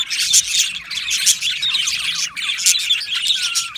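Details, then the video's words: Australian budgie colony in an aviary, chattering birds produce rapid high chirps and warbles, with one clear falling whistle near the end. "Budgie parrot chirping sounds"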